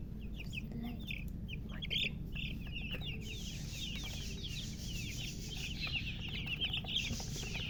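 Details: A group of newborn chicks calling loudly, dense overlapping high chirps that slide downward and repeat rapidly, with a droning low hum beneath.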